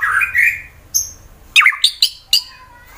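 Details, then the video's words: Fighter white-rumped shama from Wonosobo, Central Java, Indonesia, singing to provoke rivals: a rising whistled phrase followed by sharp, explosive snapping notes in quick succession. "Murai BATU FIGHTER Bikin Emosi lawan langsung GACOR"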